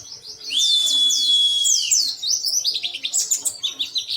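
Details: Oriental white-eye in an emotional, insistent singing bout, beak open: a long, flat, high whistle under fast twitters, followed by quick, bouncing, high chirps.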